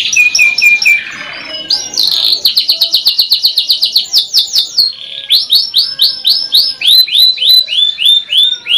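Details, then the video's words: Energetic canary song: rapid upward-flicking whistled notes repeated about four per second, interrupted by a lower buzzy roll, then more series of bright sweeping chirps. "MASTERAN KENARI GACOR | CANARY SINGING"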